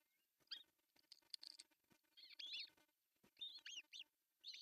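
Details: Osprey at an artificial nest in Pohjois Satakunta, Finland, on June 10, 2024, as the male brings a big fish for breakfast; faint, arched chirping calls come in short bursts, with a quiet tick-like background from the nest camera.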